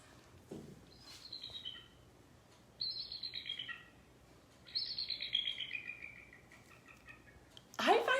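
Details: Bald eagle's real call, not the piercing cry used in films, from Vancouver Island: thin, high chittering in three bursts about two seconds apart, each series tumbling downward in pitch; a brief knock ends it.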